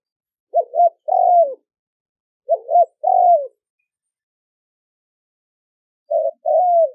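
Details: Clean recording of a spotted dove: three phrases, each a quick double hoot followed by a longer falling coo, separated by pauses of silence.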